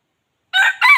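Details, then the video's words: Wild chicken used to lure its kind: two loud, harsh crow syllables start halfway through, the second brighter and slightly rising, the call cut off at the end. "suab qaib qus zoo dib qaib tuaj zoo heev"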